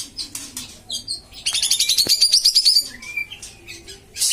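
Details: Common iora (kapas tembak), prompting recording for a quiet bird: a loud rising rattled trill lasting over a second amid softer chirps and whistles.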